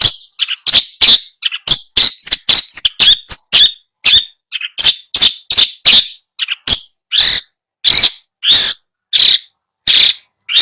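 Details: Tutor song of a long-tailed shrike, aimed at getting a silent bird to sing: rapid mix of harsh grating notes and brief whistled slurs at first, settling into a steadier series of loud rasps.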